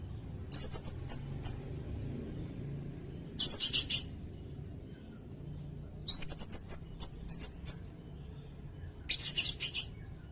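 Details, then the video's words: Recorded for training songbirds, a sirindet delivers four high-pitched phrases of quick chips and short trills, separated by pauses of one to two seconds, with a low background hum. "Suara burung sirindet buat masteran bagus juga buat pikat"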